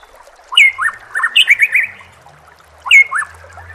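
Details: White-rumped shama song used as a training recording for caged birds: loud whistled and slurred notes in a rapid burst, a clear rising-falling whistle, then a pause and another whistled phrase.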